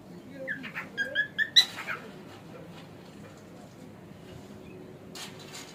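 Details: Male pet cockatiel producing a quick run of about six rising whistled notes building to a sharp peak, followed by near silence and faint rustling.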